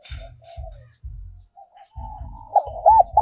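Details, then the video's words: Giọng còi (giọng kim) style of spotted dove decoy song. Soft murmured coos and repeated low thumps come first, then the loud arched coos of a phrase start rising at the very end. "cu gay moi chuan mp3/ Giọng còi chuẩn nhất 2022"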